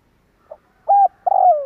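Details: Single spotted dove phrase played to lure birds: a faint short note, a steady flat coo, then a drawn-out coo gliding downward.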